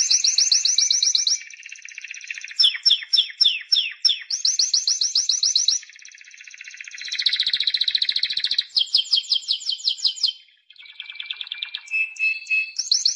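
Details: Continuous Timbrado canary song, a sequence of changing rolled trills and repeated sliding notes, high and low tours shifting every second or two.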